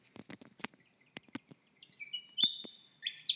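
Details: Unidentified bird at night, perched on a windowsill and whistling most of the night with occasional breaks; a few sharp clicks or taps, then a high, warbling whistled phrase of quick sliding notes that rises and ends in a buzzy flourish.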